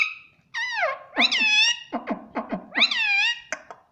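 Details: Talking pet parrot: two long wavering harmonic calls, each sliding down then flattening, separated by a run of quick clicky syllables, with a few short ticks at the end, indoors.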